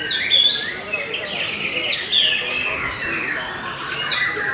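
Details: White-rumped shama of the Belanda type singing clear, ringing whistled phrases, several sharp upward flicks and slurred notes spaced about two seconds apart, with softer chattering filling the gaps.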